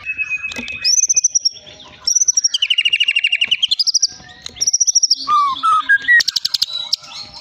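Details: Caged Medan long-tailed white-rumped shama, an award-winning contest bird, delivering a mix of long pure whistles and fast rattling trills that slide down then up, finishing with stepped rising notes and high sharp chips.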